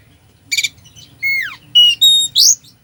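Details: Oriental magpie-robin singing a mimicry-rich song meant to stir a slow bird: a scratchy burst, then a long whistle sliding downward, followed by bright level whistled notes and a buzzy rising flourish.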